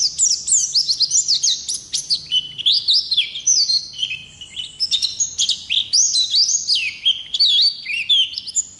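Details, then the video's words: Extended song of a wild-caught Oriental white-eye, high sweet whistles and quick descending slurs strung together in a lively, varied chatter with only tiny pauses. "Pleci Ngalas Gacor Ngerol Durasi Panjang"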